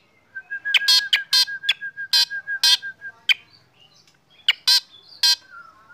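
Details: Black drongo in morning sunbathing, triggering other birds' song: a steady string of clear, level whistled notes overlaid with loud, harsh, broadband chirps repeated in quick succession, then a short pause and a few more.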